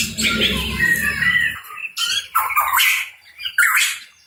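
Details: Hooded pitohui, locally cucak rawa papua, singing warbled whistles and harsh squawky phrases, with a low rumbling hum during the first half.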